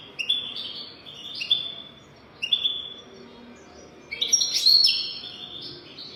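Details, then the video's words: Teaching song of a European goldfinch in the 'golden throat' style: several short chirping phrases with brief buzzy notes, then a dense, loud outburst of twittering and tinkling trills near the end. "تغريد رهيب طائر الحسون حنجورة دهبية لتعليم طيور الحسون"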